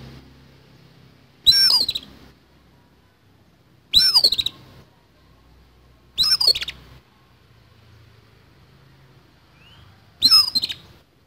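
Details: Oriental magpie-robin in fighting mode, giving a harsh fill-in song: four loud, raspy bursts, each with a high whistled note sliding downward into buzzy noise, spaced about two to three seconds apart, with quiet pauses between.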